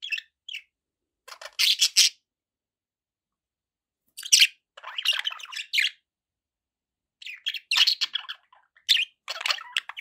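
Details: Budgerigar chirping comes in three separate clusters of harsh, buzzy chirps and squawks, with long quiet stretches between them.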